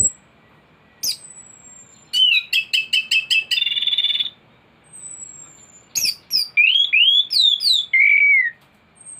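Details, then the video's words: Thrush in full, energetic song with a complete set of imitated phrases: a burst of rapid repeated chips, then looping slurred whistles rising and falling, with a faint thin high whistle and a steady faint tone in the background. "Anis gacor teler isian komplit materi masteran burung anis pancingan bunyi"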